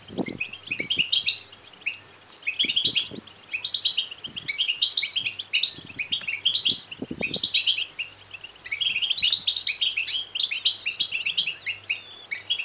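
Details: European goldfinch chicks begging, a sound meant to rouse males to sing and mate: clustered bursts of thin, rapid twittering chirps every few seconds, with scattered soft tapping sounds.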